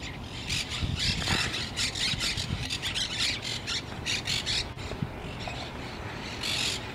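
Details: Monk parakeets at a cemetery arch in Brooklyn, New York, on 1 February 2014: a dense chorus of harsh, raspy squawks, overlapping and continuous, with low rumbling background noise.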